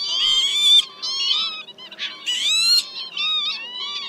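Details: Northern Lapwing giving wheezy, slurred pee-wit calls, high and nasal, in overlapping bursts about every second or two; a lure recording of male and female flock calls used for night-netting migrating birds in March.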